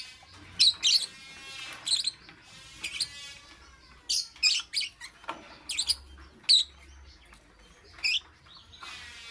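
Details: Morning lovebird chirping: sharp, high, scratchy chirps in short bursts roughly every second, with brief harmonic squeaks between and a faint low background hum.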